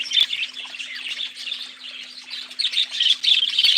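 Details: Budgerigar giving a busy, continuous chatter of high chirps, squeaks and warbled notes that rise and fall in loudness with louder bursts at the start and end, over a faint steady low hum.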